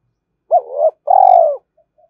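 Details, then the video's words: Spotted dove lure cooing aimed at wild rivals, urging and calling style: a rising note melting into a wavering roll, then a long pulsed steady coo, with two faint soft notes trailing afterward. "tiếng cu gáy kích bổi nhanh nổi hiệu quả, tiếng thúc và gáy gọi"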